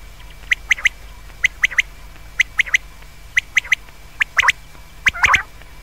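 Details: Common quail (batair) calling, presented as the best call for night use: sharp three-note phrases, quick and liquid, repeated about once a second over a low steady hum, ending in a brief rougher burst.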